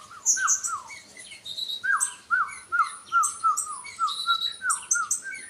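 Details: Sunbird singing: a rapid run of wavering, dipping mid-pitched whistles repeated over and over, overlaid with sharp, high, thin chirps and short trills, with faint background hiss.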